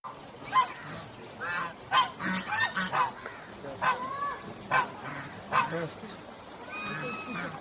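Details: A duck swimming gives nasal, honking calls, about one every second, with a longer wavering call at the end over a faint background hiss.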